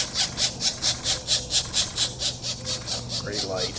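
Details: Begging of pileated woodpecker nestlings as they are fed, April 2024: loud, harsh, buzzy bursts repeated evenly several times a second, with faint human voices underneath.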